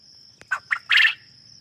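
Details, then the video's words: Farm quail giving one loud three-part call: a short click, then two harsh buzzy notes rising into a longer, louder final burst, over a steady high whine and quiet low rumble. "فَارمی بٹیر کی خوبصورت آواز | Soothing Voice of Farm Quail"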